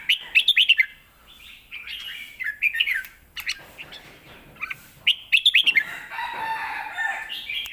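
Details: Caged red-whiskered bulbul delivering a fierce Lak Wai style song, a full master recording meant for teaching young birds; bright warbled phrases with quick rising and falling notes come in three bursts, separated by softer chatter and pauses.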